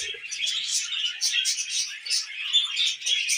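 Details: Short burst of tamed pet budgerigar warbling: rapid, bright, scratchy chirps pulsing in quick bursts, with no other sounds.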